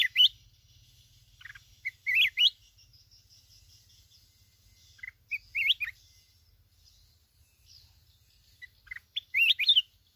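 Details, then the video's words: Mountain bulbul from Binh Thuan, Vietnam, a trapped wild bird: short bursts of bright, quick warbling notes with rising and falling slurs, separated by pauses of two to three seconds, over a low steady hum. "chào mào núi Bình Thuận"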